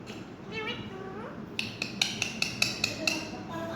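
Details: Pet parrot named Mithu, calling "miyan mithu", says a short phrase in a nasal, speech-like voice with rising and falling tones, followed by a string of sharp clinks like glass or dishes.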